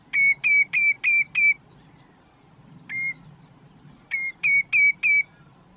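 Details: A common redshank on a post in Groninger Landschap, Netherlands, calling what seems like its own name; five quick piping whistles, a pause, one softer lone note, then another run of five evenly spaced high whistles.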